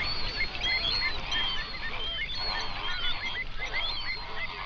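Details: Hundreds of flamingos on a national park lake in the Overberg region, South Africa, recorded binaurally around sunrise: a dense chorus of overlapping honking, nasal calls, with several clear rising and falling notes standing out above a constant low rumble.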